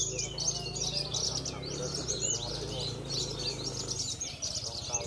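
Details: Competition Javan bush lark (parva type) singing: a continuous, rapid run of high twittering and chattering notes, over a low murmur of voices and background hum.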